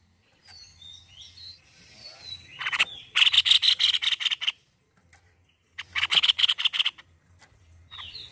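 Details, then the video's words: Singing white-necked babbler: faint thin whistles, then two separate bursts of rapid, harsh chattering notes with quiet pauses between. "GACOR PARAH BURUNG TEPUS LEHER PUTIH"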